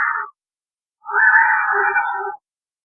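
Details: White-rumped vulture in Rajasthan, India, giving two harsh, rasping squeals, a brief one then a longer drawn-out screech of over a second, mid-pitched and coarse.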